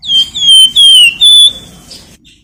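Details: Shrill nyiul whistling of a Flamboyan bird kept as a lure to stimulate other birds: four loud, drawn-out whistled notes, each slurring gently downward, followed by a fading softer note.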